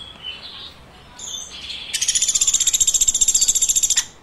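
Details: Woodpecker giving faint high notes, then a two-second burst of rapid, evenly pulsed, buzzy high chirps that stops abruptly.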